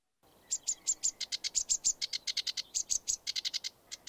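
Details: Sedge warbler song, UK: a fast, busy, varied run of harsh chattering notes mixed with high sweet whistles, about five or six per second; the species mimics snippets of other birds' songs and may sing in flight.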